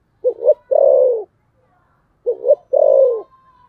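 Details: Spotted dove giving a fighting coo in the style called thổ sấm. Two matching phrases about two seconds apart, each with two short rising notes and then a longer, lower coo that falls away, against a quiet background.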